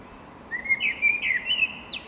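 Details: A male-style Common blackbird (Turdus merula), a strong local singer, sings a mellow, fluty warble of slurred whistles about a second and a half long, ending in a thin, high squeaky flourish, over faint hiss.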